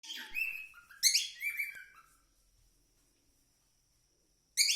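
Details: Cockatiel singing: bright whistled and chirpy notes in two quick bursts, the second louder, then near silence until a sharp chirp at the end.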